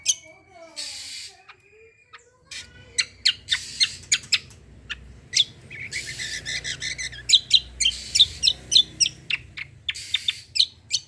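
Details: Energetic cucak kombo song meant to provoke untrained birds into singing: harsh squawky bursts, then fast repeated sharp notes, about three to four per second, over a faint low hum.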